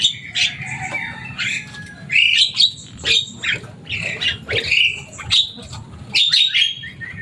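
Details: Javan myna, a boisterous talking cage bird, pouring out repeated rasping squawks and slurred whistles in close succession, over a soft low-frequency hum.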